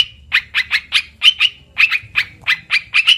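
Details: Olive-winged bulbul lure call giving a chattering string of short, harsh, mid-pitched notes, about four per second, with a faint low hum behind.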